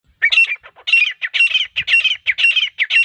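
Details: Female grey francolin call used as a hunting lure: harsh, squawky notes in quick bursts, roughly two per second, high-pitched and repeated steadily for three seconds.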